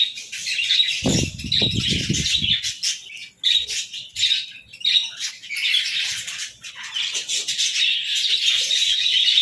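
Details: A morning flock of budgerigars keeps up a high, squeaky warbling chatter; a brief low rumble of flapping or movement near the start, then steady chirping.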